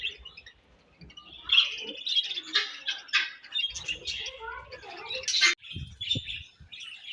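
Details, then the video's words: Budgerigars chattering while eating; rapid mixed warbles, chirps and squawky notes, with a sharp burst before a short pause and some soft knocking sounds. "𝑪𝒖𝒕𝒆 𝑩𝒖𝒅𝒈𝒊𝒆𝒔' 𝑪𝒉𝒊𝒓𝒑𝒊𝒏𝒈 𝑺𝒐𝒖𝒏𝒅𝒔 𝑾𝒉𝒊𝒍𝒆 𝑬𝒂𝒕𝒊𝒏𝒈"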